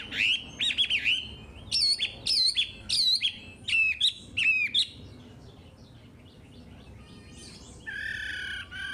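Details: Vigorously singing Chinese hwamei, recorded for training caged birds to sing: a chain of repeated bright whistled phrases, each bending up then down. A quieter pause follows, then a dense, buzzy closing note.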